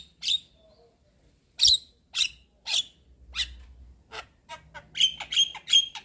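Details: Javan myna, described as white-eyed and head-bobbing, chattering on a lure recording meant to prompt a silent bird to sing: about a dozen harsh, raspy, broadband squawks in irregular bursts, quickening into a tight cluster at the end.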